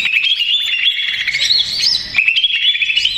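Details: Greater green leafbird (Chloropsis sonnerati), stressed, agitated song used as a lure to provoke other leafbirds into answering: rapid chattering and scratchy whistled notes run together without pause, high-pitched and constant.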